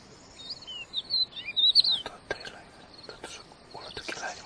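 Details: A wild crested lark sings energetically, delivering quick high warbled whistles and slurred notes for about two seconds before sharp clicks and rustling noises take over.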